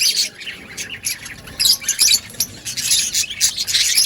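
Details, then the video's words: Budgies chattering in an outdoor colony: a crowd of high, raspy chirps and squawky notes in clustered bursts, rising and falling in loudness over a few seconds. "Budgies chirping sounds in outdoor colony"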